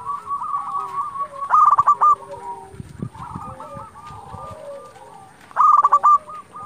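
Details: Zebra dove singing to lure and excite rival doves: two bursts of quick, rolling coos, one early and one near the end, over constant quieter cooing from a crowd of doves.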